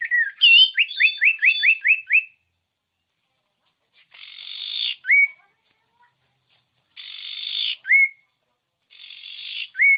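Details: Common iora song used as a tutor recording to stir lazy caged birds into singing. It opens with a rapid run of about eight upslurred whistled notes, then harsh buzzy bursts, each ending in a sharp rising whistle.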